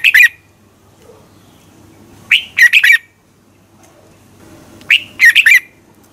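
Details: Competition-style morning song of a red-whiskered bulbul for training birds: three short bursts, each a rising note then a quick run of clear, slurred chirps, roughly every two and a half seconds.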